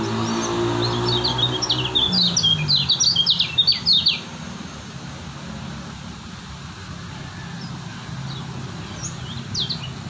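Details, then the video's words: Lombok white-eye singing: a burst of quick high chirps and sliding twitters for about four seconds, then only sparse faint notes over steady low rumbling background noise. "Lombok Kecial Kuning si Joker burung Stabil"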